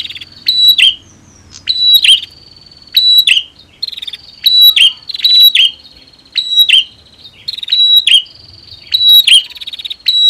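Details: Female and male prinias heard together: loud, buzzy chattering phrases with sharp clicking notes, each burst lasting about half a second and repeated roughly every second, one high steady whistle-like tone running underneath, no other sounds.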